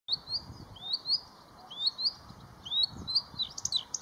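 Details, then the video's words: Bluethroat singing in spring, recorded in a short take while waiting for a heron: clear high slurred whistles rising and falling, repeated in similar phrases about once a second, with soft low background rumble. "Песня варАкушки"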